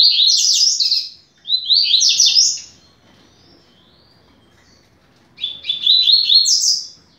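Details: Double-collared seedeater (coleiro) singing a song used to teach young birds, described as fast-beaked style: two bursts of rapid, high buzzy-whistled notes, each about a second long, rising at the end, separated by a long pause.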